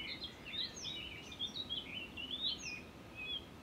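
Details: Continuous warbling from a Blyth's reed warbler at Far Ings Nature Reserve, UK, 11 June 2020, a mimic copying other birds. Fast rising and falling whistles run together without pause over soft background noise.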